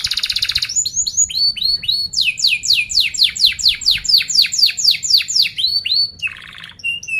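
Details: Canary singing a fast, tightly rolled song used to train young canaries to learn sounds: an opening buzzy trill, then a series of rapid downslurred whistles, a long run of sweeping chirps, a brief buzz, and a clear closing whistle.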